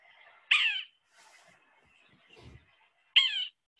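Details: A wintering Yellow-bellied Sapsucker in South Carolina gives two harsh, nasal, cat-like mewing calls, each slurring downward, about two and a half seconds apart, with a faint background murmur between them.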